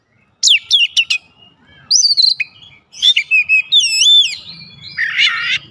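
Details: Oriental magpie-robin (kacer) singing with isian fill-ins as other kacer join in; rapid descending whistles, a series of chips, rolling warbles and a closing harsh buzzy phrase.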